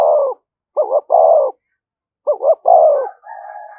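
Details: Spotted dove cooing in the thúc gù manner used to excite decoy birds: deep double notes then a drawn, falling coo, repeated twice, ending in a soft, flat humming tone.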